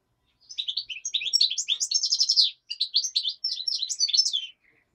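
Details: Black-headed European goldfinch in daytime singing: a continuous, rapid, bright twittering of tinkling, liquid notes, high and busy, running about four seconds with two short breaks, with no other clear sounds.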